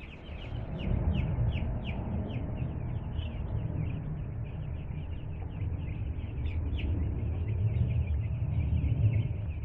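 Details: A group of two-day-old chickens, newly brought home, cheeps in quick succession, about three short falling peeps a second, over heavy low-pitched rumbling noise.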